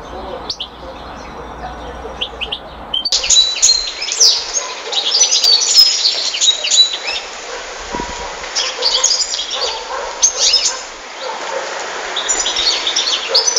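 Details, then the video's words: European goldfinch singing: a quiet start with a few thin notes, then from about three seconds a dense, fast, high twittering stream of tinkling chirps and short buzzy trills that carries on almost unbroken. "Goldfinches(carduelis) Amazing Singing"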